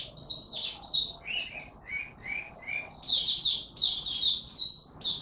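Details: Oriental white-eye, a kept songbird ramping up form, singing in the 'buka tiong aw' style: high, thin chirping phrases in rapid bursts, some lower buzzy notes midway, short pauses between phrases, faint room hum.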